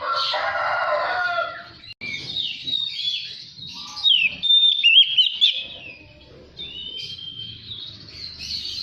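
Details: Lure song of an Oriental magpie-robin for untrained birds: opens with a harsh, noisy burst, then varied whistled slurs, chatter and long thin whistles.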